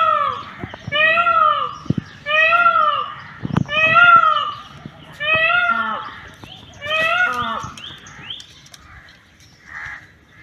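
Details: Indian peafowl calling: a series of six loud, nasal, arched wailing calls rich in harmonics, about one every one and a half seconds, with a few sharp knocks between them and a fainter call near the end.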